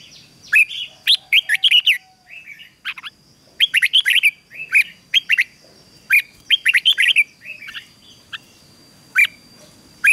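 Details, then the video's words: Red-whiskered bulbul in a training recording to build strong morning song, delivering bursts of bright, slurred whistled phrases, several notes per burst, separated by short pauses, with a faint steady high hum behind. "Luyện chào mào hót căng lửa"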